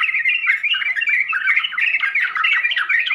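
Yellow-vented Bulbul song: a dense, unbroken run of bubbly, chattering and slightly squawky mid-pitched phrases, loud and close, with no pauses.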